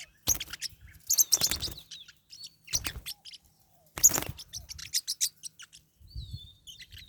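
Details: Pet Pacific parrotlets in a fight give clustered harsh, rasping chirps and squeaks in loud bursts, with thin high whistles and flapping or scuffling thuds between them.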